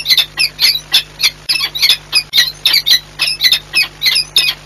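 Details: Courting pair of peregrine falcons at Orlen Płock, Poland, 8 March 2022, giving a fast series of rasping, chattering squawks, roughly two a second, with a constant low hum beneath.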